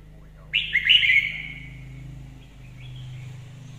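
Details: A Red-whiskered Bulbul sings well as a lure bird: a quick, liquid, warbled phrase of bright slurred notes, followed by softer fragments over a low background hum.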